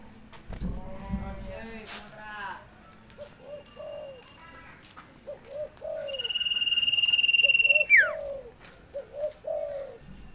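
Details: Sirtu cooing as a lure to prompt a silent bird to sing; soft low coos in short paired phrases repeat through the clip, over a long steady high pulsing tone, a sharp falling chirp, and brief rustling.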